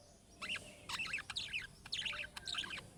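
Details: Budgerigar giving chick-style calling notes that prompt other budgerigars to answer: bright, scratchy chirps in quick irregular bursts, about five clusters in three seconds, each with rising and falling warbled notes over a quiet background.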